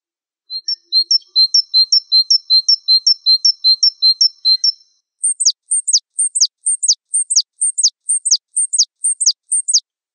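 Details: Mastering recording of a Java sparrow, wingko variety: a steady run of paired chirps, a lower note followed by a higher one, then a clean series of high notes each sweeping sharply downward, repeated evenly.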